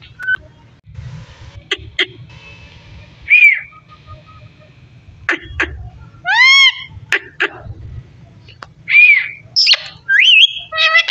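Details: Parrot talking with scattered clicks and smacks, a few whistled notes, a loud rising voice-like call midway, and a burst of whistled glides at the end.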